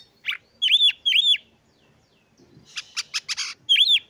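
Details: Loud Oriental magpie-robin song of repeated arched whistles in a pair, a quiet gap, then a rapid series of sharp clicking notes and one final arched whistle.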